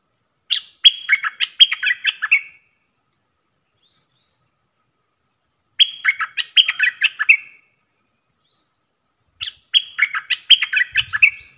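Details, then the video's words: Singing duel between a caged dok taeng bulbul and wild birds, 3 October 2021: three matching cheerful warbled phrases, each about two seconds long, repeated roughly every four seconds. Each phrase is a run of quick clipped notes ending in a buzzy flourish. "เสียงนกกรงดอกแตงEp.82 ดวลเพลงกับนกป่า!!"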